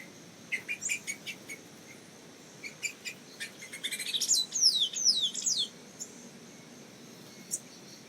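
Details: A Black-cowled oriole in Costa Rica gives a loose series of high, sharp chip notes, then a quick run of clear, downward-slurred whistles, ending with one last thin note.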